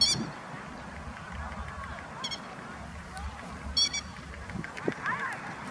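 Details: Grey-headed lapwing adult guarding young chicks in late April in Kyoto, Japan, giving brief clusters of sharp, ringing kik notes at intervals of about two seconds over a steady low background hum.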